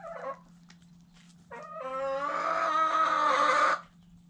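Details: White Silkie rooster heard up close: a short wavering note, a pause, then a long, loud, harmonic crow lasting over two seconds and cutting off abruptly, above a steady background hum.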